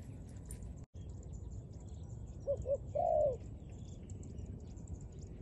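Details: Dove cooing: two short soft coos, then a longer, drawn-out coo that falls at the end, over a steady low background hum.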